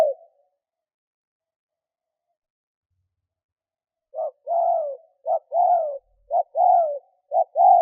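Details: Spotted dove lure call intended to stir wild birds. A faint coo opens, then about four seconds of silence. Four quick two-part coos follow, each a clipped note and a longer descending tone, spaced about a second apart.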